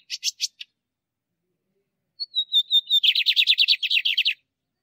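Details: Male lined seedeater singing, kept for stimulating and training caged birds: a few short high chips, then a thin whistled note sliding down into a fast, buzzy rattling trill of repeated notes lasting about one and a half seconds.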